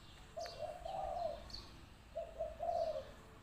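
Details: Spotted dove cooing as a decoy bird: two mellow, hooting phrases about a second long, each starting with a short note and swelling into a rolling coo, with faint bird chirps behind.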